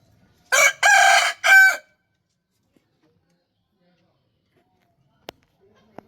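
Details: Rooster crowing: one loud, harsh, three-part cock-a-doodle-doo lasting about a second and a half, with brief breaks between the parts, followed by near silence broken only by two faint clicks.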